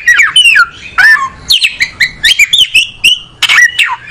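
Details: Oriental magpie-robin, a breeder-kept songbird of tropical South Asia, finding a comfortable spot; dense run of harsh squawky notes mixed with whistled slurs, rapid and jerky, several phrases close together.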